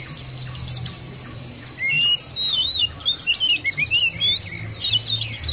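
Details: White-eye lure recording used to make birds sing hard; a continuous stream of very high, sharp chirps and trills from overlapping birds, a few lower slurred notes around the middle, over a steady low hum.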